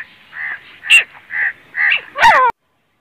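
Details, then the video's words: A grey francolin in Pakistan gives five harsh, nasal notes about every half second, the last one louder and falling, before the sound cuts off. "Teetar ki boli | teetar voice | Gray francolin | teetar ki awaz"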